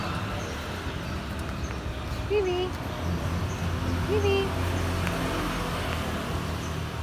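A grey parrot gives two short, low, curving hoots about two seconds apart, nearly buried under a steady rumble of traffic.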